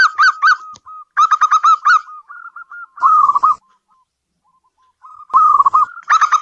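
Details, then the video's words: Song of a local zebra dove kept in a house: bursts of quick bubbling notes, then soft trailing coos and pauses, with a harsh rolling phrase returning near the end. "Suara burung perkutut lokal pembawa rezeki dalam rumah"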